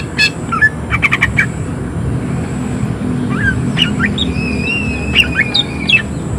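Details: Greater green leafbird in vigorous, high-excitement song of harsh 'tembakan' shot notes: a quick cluster of sharp clicking chirps, then scattered thin whistles and rising slurred notes over a steady low hum.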